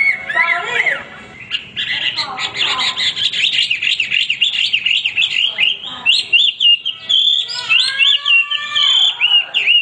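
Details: Hwamei singing continuously, suited as a master song: a varied, tumbling stream of fast warbled and whistled phrases with repeated zigzag notes, ending in long slurred whistles.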